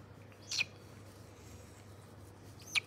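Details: White-bellied caique, recorded 27 August 2022, giving two sharp, high-pitched squeaky calls about two seconds apart over a steady low hum.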